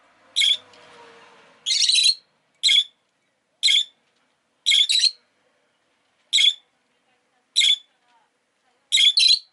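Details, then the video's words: Rosy-faced lovebird, Agapornis roseicollis, kept as a pet, repeating sharp shrill chirps about once a second, some doubled, after a soft rustling murmur at the start. "Lovebird Chirping Sounds"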